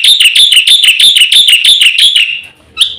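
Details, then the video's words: Black-winged myna giving fast full song meant to coax silent birds to sing: a rapid even train of high ringing, slightly falling notes for two seconds, a short gap, then one rising whistle. "suara masteran jalak putih gacor full isian cepat untuk pancingan burung jalak macet bunyi"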